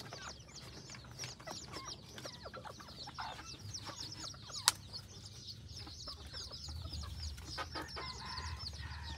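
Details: Village flock of F2 red junglefowl hybrids in Roi Et province, Thailand: many quick high-pitched peeps and chirps running continuously, a single sharp click midway, and broad low rumbling noise building toward the end.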